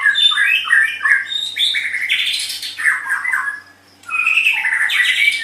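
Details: White-rumped shama singing, used as a tutor recording to make pet cage birds sing actively: varied whistled and slurred phrases jumping between low and high notes, with squeaky accents. A one-second pause comes before a rich, warbling final phrase.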